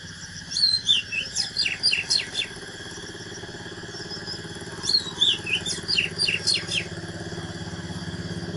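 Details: ['Two lively phrases of Oriental magpie-robin fighting song from a natural bird, sliding whistles followed by a run of crisp rapid strokes, with a steady engine-like hum underneath throughout.']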